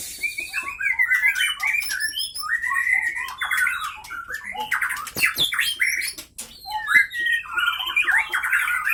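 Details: White-rumped shama of the Leuser Pining line from Gayo Lues, Aceh, Indonesia, caged and fighting; sharp, rapid, varied song of chattering notes, squawky slurs and whistles running nearly continuously, with loud clicks and knocks.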